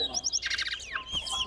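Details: A towa towa bird at a singing competition at Lusignan bird ground delivers a fast, varied burst of high chirps, buzzy trills and a falling whistled slur within about a second and a half.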